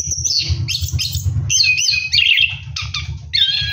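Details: Orange-headed thrush bathing at night and singing a rolling ngeroll song: dense, scratchy high phrases and quick twitters in bursts, over a steady low rumble.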